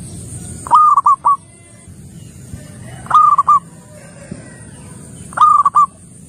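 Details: Local Indonesian zebra dove singing steadily. Three short phrases of clipped, hollow cooing notes at a mid pitch, each phrase a quick stutter of three or four coos. Phrases repeat roughly every two seconds over a faint low rumble.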